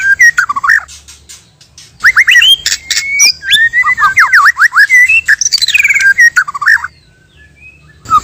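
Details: White-rumped shama, male and female together, used as a trapping lure: loud, varied song of sweeping whistles, slurred notes and harsh squawks packed densely, with a quieter pause near the end before a final note.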